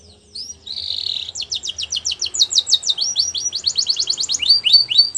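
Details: Canary singing as a training example for young canaries: a buzzy rolled note, then a long chain of rapid, bright down-slurred syllables and trills, over faint low hum.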